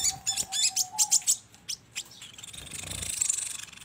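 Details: A sogon's song used as a lure sound: a quick series of high, sharp chirps over a low steady whistle, then a hissing, buzzy trill that runs on to the end.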